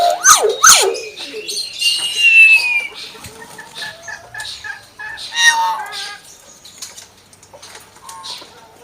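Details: Common hill myna, a caged pet bird, imitating a chicken: harsh broadband squawks with downward sweeps open the phrase, then clucking-like bursts and a long rising whistle, followed by quieter scattered notes.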